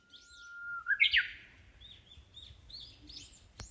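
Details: Small songbirds singing in the shade along a wooded path at Nishi-no-Kubo Park, Hondo, Amakusa, Kumamoto, Japan, on a hot early-summer day. A long steady whistle slides into loud bright chirps, then softer twittering notes.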